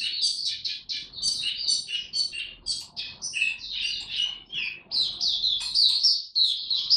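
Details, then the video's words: Oriental white-eye, recorded 3 January 2022 ramping up to form with 'tiong aw' opening song: a fast, unbroken run of high chirpy, warbled notes, each slurring slightly downward, pouring out for the whole seven seconds. "Mata Puteh Dagger ramp up form buka tiong aw sing"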